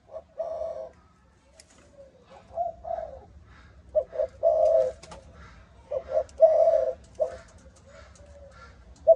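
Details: Malaysian-line 'âm thổ' spotted dove cooing in irregular bouts, soft quiet notes alternating with loud, hoarse, drawn-out coos, with a few faint clicks between phrases.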